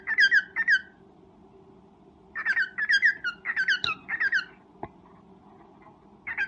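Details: Cockatiel kept for breeding, uttering its mating call: repeated runs of loud, slurred, squawky chirps in quick succession, separated by short gaps, with a faint hum and an occasional click.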